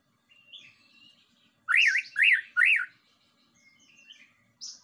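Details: White-rumped shama lure song for provoking other birds: faint whistles, three loud rolling phrases in quick series, then quiet whistles and a short high note.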